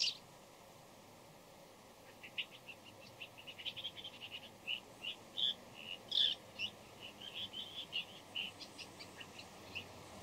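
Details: Before dawn, a bull-headed shrike gives a soft, varied run of short, high chips and twitters. The notes come quickly, several per second, and swell in the middle before easing off, against faint background noise.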